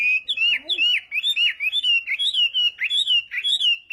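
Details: Chinese hwamei contest song during morning training: bright, slurred whistles that rise and dip, given about two per second in an unbroken, energetic stream, with a faint lower note near the start.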